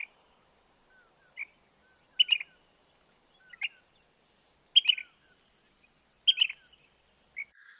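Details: Ash-throated Flycatcher in southeastern Arizona giving short, burry mid-high notes, some doubled into a rough two-part call, repeated every second or two against a quiet background.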